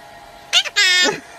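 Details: Red-shouldered macaw (Diopsittaca nobilis) talking while playing peekaboo: a high, voice-like phrase with a short first syllable, then a longer, nasal, drawn-out one, in a quiet room.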